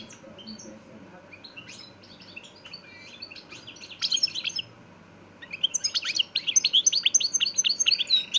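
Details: Caged-style singing of a European goldfinch of the Parva de Montijo line, Extremadura: soft scattered twitters building into loud, rapid, high-pitched trilling runs toward the end.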